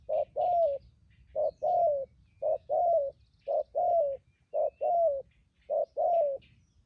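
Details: Thúc gù urging coos from a wild-caught spotted dove kept as a trap decoy: six regular two-note phrases, brief coo then longer bending coo, roughly one per second, distant small birds twittering faintly.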